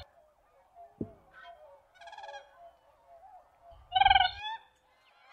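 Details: Siberian crane giving a rich, harmonic trumpeting call. A faint call comes near the middle and a loud, throaty one follows, each under half a second, with a sharp knock and low murmurs in between.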